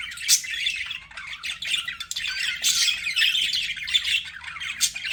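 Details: Chattering budgies, steady scratchy warbles and chirps with a few sharp, loud notes punctuating the continuous flock sound.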